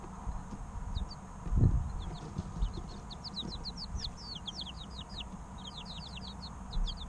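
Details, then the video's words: Three-week-old chicks, a group of chickens, chirp busily in dense runs of quick high falling peeps, with a soft thump near the start and a steady low hum. "Chicks Chirping Sounds 2 - Baby Chicken Sounds"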